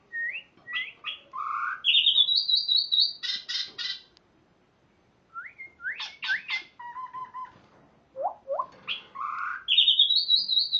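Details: Spotted morning-thrush in rich varied song: upslurred whistles, a high trilled run of repeated notes, buzzy harsh bursts and lower warbled phrases, in two long bouts separated by a brief silence.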